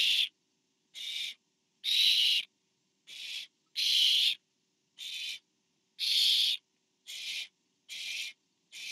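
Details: Barn owls at a camera-watched nest, 24 September 2015, a parent bringing food to owlet number four; ten rasping, airy hiss-screeches, each about half a second, irregularly spaced roughly once a second, varying in loudness.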